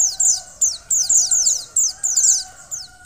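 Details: Female white-eye calling to stimulate a male: evenly spaced bursts of sharp, high chirps, each note dropping in pitch, about three per second, against a faint continuous hum.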